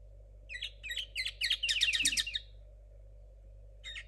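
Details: Juvenile linnet cross, 2022 bird, with song still tangled and unrefined: a burst of fast repeated chirps building into a dense trilled run for about two seconds, then a short pause and another note, over faint steady hum.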